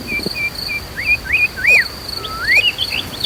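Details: White-rumped shama in agitated song, meant to challenge other birds. Short clear whistles are followed by looping slurred notes and one long rising whistle, with a continuous high insect buzz behind.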